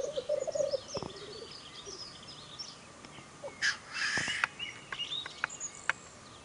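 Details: Displaying (lekking) black grouse make a low, rolling bubbling coo and then a loud hissing sneeze, while small songbirds chirp high behind, May 2015, Ammergau Alps.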